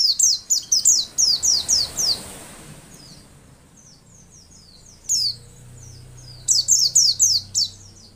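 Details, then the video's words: White-eye sound played to make caged males sing quickly: quick series of high, sharp descending chirps, a quieter stretch with faint notes and background hiss, then a fresh burst of chirps near the end. "masteran pleci untuk merangsang bunyi pleci ombyokan"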